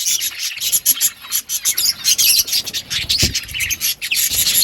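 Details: Pet budgerigars chirp while eating green food, a busy jumble of high, buzzy twitters and quick notes packed closely together, with some faint rustling below.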